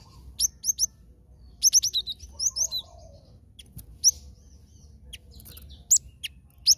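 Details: Cinereous tit recorded as a trapping lure: crisp, very high chirps in pairs and short runs, spaced irregularly, with a few isolated sharp notes and clicks toward the end.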